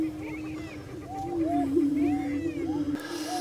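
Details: On a lek in Minnesota's Bluestem Prairie Preserve at Glyndon, prairie chickens give an unbroken low hollow drone with repeated arched whoops layered above, ending in a brief sharp bump.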